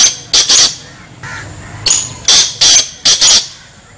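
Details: Kala teetar, the black francolin, giving its grating call: a phrase of clustered harsh, buzzy notes, one short rasp and then double rasps, repeated three times, with faint low background noise between phrases.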